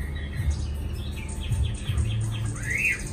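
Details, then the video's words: A caged Chinese hwamei, newly arrived, in Hanoi. It sings a string of short clear notes, then ends with a long whistle that rises and falls, against a constant deep droning hum. "Mi mới về cb5668 hót lai dai hay chưa căng lửa"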